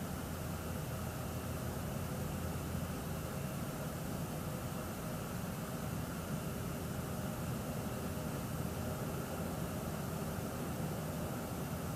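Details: Steady, even rushing noise throughout, with no animal sound.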